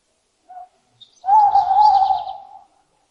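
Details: A long, steady, mid-pitched owl hoot lasting over a second, wavering slightly and fading at the close, with a faint higher twitter behind it.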